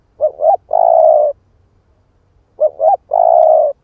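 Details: Spotted dove cooing as a lure to provoke wild doves, split-breast type. Two close phrases, each a quick paired note then a drawn-out steady coo, with a short silence between and no other sounds.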